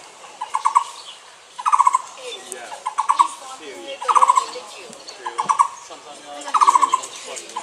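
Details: Taiwan barbet calling: low, burry trilled phrases, each a short rapid rattle, repeated six times over about seven seconds at roughly one-second intervals, with faint higher chirps from other birds in the background.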